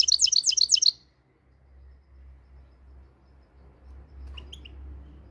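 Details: Moroccan goldfinch (European goldfinch) opening with a second of fast, high, tinkling chips in a rapid trill. A near-silent stretch follows, with a low background hum and a faint distant note.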